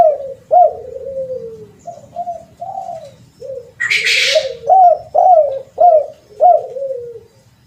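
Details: Spotted dove lure call: repeated mellow coos, several loud and downward-bending, interrupted midway by a brief loud hiss of noise.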